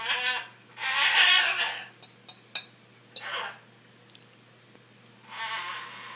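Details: Noisy macaws letting out rasping squawk bursts near the start and end, with sharp clicks and taps between; a constant low hum is present.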